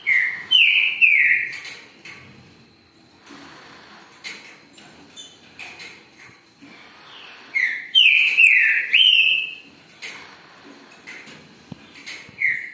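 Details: Green-winged saltator (trinca-ferro) song in two loud bursts of rich, descending whistled notes separated by several seconds of softer chirps and clicks, ending with a fresh whistled phrase.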